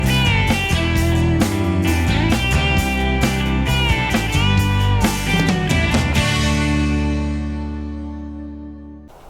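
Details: Loud rock-style guitar music with steady plucked notes and sustained chords, fading out near the end, with no animal sounds.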